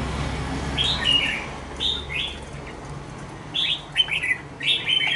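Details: Young red-whiskered bulbul in a cage, two months old, sings quick, chirpy, descending phrases in small clusters over a steady low hum.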